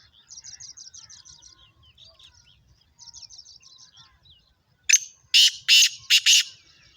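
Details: Black francolin, a speeder kala teetar, closing with its loud harsh five-part rasping call after a smaller bird's repeated thin trilled phrases fill the opening seconds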